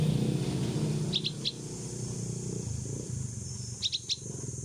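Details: Rescued bulbul chick, 16 days old, practising to fly outside and calling for its mother; two clusters of three rapid, sharp, high-pitched chirps separated by a pause, with low background hum.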